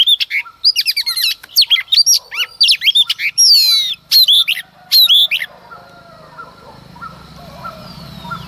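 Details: A female Oriental magpie-robin sings in the early morning, a rapid run of sweet, varied whistles and sharp chirps for five seconds, then falls silent, leaving faint distant calls.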